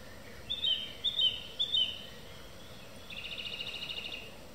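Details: Song thrush evening song: a ringing double-note phrase repeated three times, followed by a fast, even trill of many short high notes lasting over a second, over gentle background noise.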